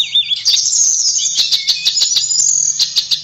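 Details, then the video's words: Shrill, sustained whistling of a blue flycatcher (tledekan), a wavering high note laced with quick chips and ticks, steady low hum in the background. "Kicauan Merdu TLEDEKAN"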